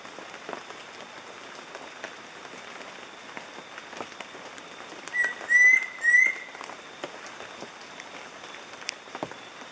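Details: Near-endemic Yellow-breasted Antpitta at Montezuma in the Western Andes of Colombia, filmed in 2014: two short, clear whistles near the middle, the second rising, over a steady hiss with scattered faint ticks.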